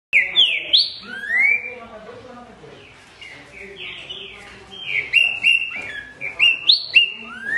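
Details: Green-winged saltator song from an edited track meant to make a kept bird start singing: loud whistled phrases with sharp upslurred and downslurred notes, in bursts separated by short pauses, with a quieter middle stretch.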